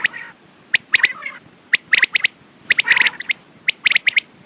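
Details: Quail calling, suggested for use in the morning and at night: sharp, clicking notes near the same pitch, given in quick pairs and triplets about once a second, with a few short harsh, burry phrases between them.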